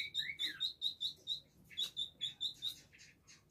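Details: Village indigobird kept as a cage bird in Bandung, recorded 14 October 2022 as a fast tutor song for training: bright whistled notes near a steady pitch, repeated about twice a second, opening with a slurred falling whistle, then buzzier chatter.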